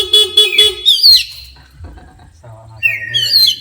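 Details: Oriental magpie-robin, highly agitated after a horn is sounded: a few short horn-like tonal blasts come first, then sharp high whistles sweeping down and a rising, slurred phrase, over a soft low rhythmic thumping.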